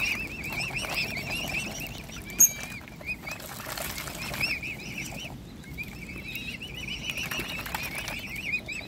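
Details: Hungry Mute Swan cygnets being hand-fed give thin, wavering high peeps, almost continuous and slightly trilled, over a low rustling background with a few soft knocks.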